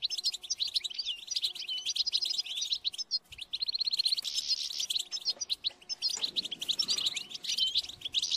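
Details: Continuous European goldfinch song, a rapid chattering of high, slightly buzzy twitters and trills delivered in long unbroken runs with barely a breath between them.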